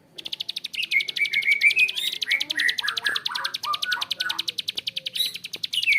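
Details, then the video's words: Bar-winged prinia calling in extended ngebren fashion with a coarse voice: quick metallic clicks pour out continuously while a thin rising whistle and then several falling slurred notes weave through the rattle. "PRENJAK KLIK GACOR ‼️Ngebren Panjang suara kasar"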